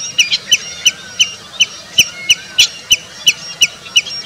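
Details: A Common redshank in India gives sharp, high piping notes, about three a second in a slightly uneven series, with faint thin whistles in the background.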